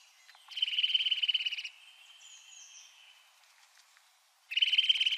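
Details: Fast, rhythmic winter song of a Eurasian Nuthatch: a rapid trill of repeated whistles, a soft thin pause, then a second identical burst of trilled notes.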